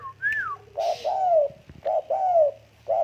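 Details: Tame spotted dove producing soft, low coos in pairs, each second note longer and gently falling, following a single clear high descending whistle at the start.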